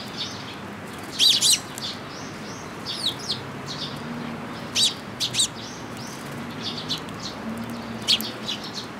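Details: Sparrows visiting a post for food at a Tenmangu shrine in June 2022 give loud paired chirps near the start, then sparse, clipped tweets spaced a second or so apart over faint background hiss.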